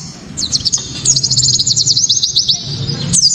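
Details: White-eye 'tembakan' song, loud and crystal clear, meant to draw other white-eyes into singing: a dense, rapid trill of very high chirps rising and falling, ending in a brief pause and a final sharp note.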